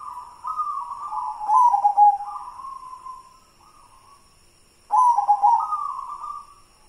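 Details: White zebra dove of local stock. Two full song phrases, each opening with a sharp, burbling trill and stretching into a long, level, fading coo, with a short quiet gap between them.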